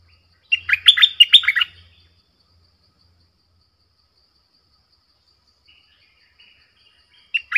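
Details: A streak-eared bulbul, a decoy bird used to lure wild bulbuls, gives a quick burst of sharp, chirpy notes lasting just over a second, then after a long quiet gap another burst starts; a wild bird came close, then left.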